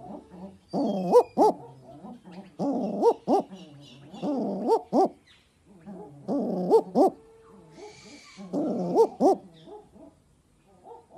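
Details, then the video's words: Owl voicing a string of dog-like "woof woof" barks: five bursts of harmonic, rising hoots, each burst ending in a pair of loud upslurred notes, repeated roughly every two seconds with faint high chatter between. "Woof Woof Owl Voice"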